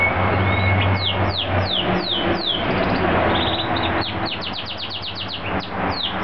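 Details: Domestic canary whistling in full song: spaced falling whistles, then a rapid burst of repeated descending notes, heard through loud background traffic.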